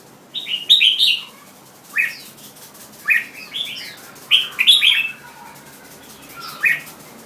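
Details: Song of a red-whiskered bulbul, delivered as short warbled phrases of quick falling notes, repeated roughly every second or so for about six bursts, with light clicking sounds in the background.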